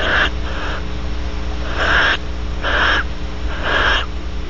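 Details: Barn owls at Audubon Starr Ranch, California, around mating, with the male preening the female afterwards; four harsh, hissing screeches of about half a second each, spaced roughly a second apart, over a steady low hum.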